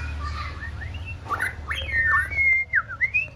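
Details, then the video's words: Female white-rumped shama aged six months practising singing; soft wavering whistles lead into a clearer run of rising and falling slurred notes, with a low hum throughout. "Chòe lửa mái ổ tập hót"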